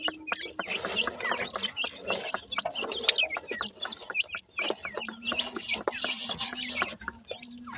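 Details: Grey francolin chicks calling continuously: quick, high-pitched cheeps with rising and falling inflections, closely spaced, mixed with clicks and crackling rustle throughout.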